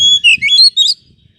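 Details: Oriental magpie-robin song played to get a sluggish bird responding: a loud level whistle followed by rapid rising and falling slurred notes, with faint low background noise.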